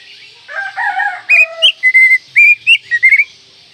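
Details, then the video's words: Oriental magpie-robin (kacer) song meant for bird training: mellow, lower warbled notes, then a lively series of short, clear whistles repeated in quick succession. "Masteran Kacer Manjur"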